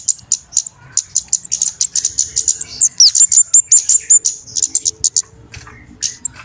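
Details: Flowerpecker lure call for trapping birds, a noisy busy chorus: very high, sharp ticking chips in rapid irregular bursts, with a run of thin downslurred whistles midway, and faint low rumble beneath.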